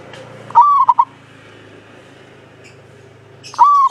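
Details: Javanese local zebra dove, singing actively with a long, clean voice, used as a lure to get other doves singing. A mellow rising coo breaks into two quick notes, then a second phrase starts near the end over a low hum.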